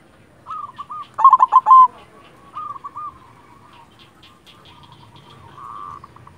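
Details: Silver zebra dove, a local perkutut in full active song: short soft coos repeated in pairs, then a loud burst of four rapid trilled coos, a rising rolled note, and a final drawn-out coo.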